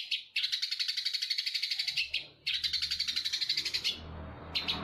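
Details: Eurasian tree sparrow from Jember, Indonesia, singing a shrike-style version of its song: two long, dense, rapid chattering trills of harsh, buzzy notes, about four per second, separated by a short pause, with a brief final burst.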